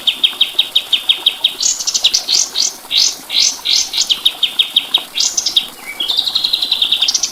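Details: High rapid chips from a white-eye, roughly three per second, interrupted by loud rising buzzy notes and a short falling whistle before a fast trill. Recorded for tutoring songbirds.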